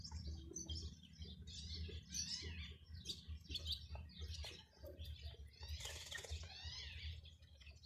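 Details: Baby chicks with a hen cheeping loudly in a dense, overlapping stream of high, falling peeps, with brief scratchy rustles and a low background hum.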